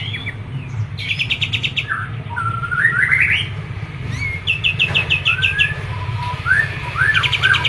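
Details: A Medan Olive-winged Bulbul (kapas tembak) delivers a lively song of quick rolling note series and twisting whistled phrases, repeated several times over a loud steady rumbling background noise.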